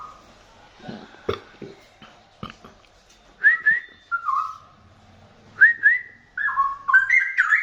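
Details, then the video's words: Straw-headed bulbul heard from 2 meters away: after a few scattered clicks and knocks, loud liquid whistled phrases in short rolling bursts, notes stepping up and down and bunched together toward the end. "burung cucak rawa"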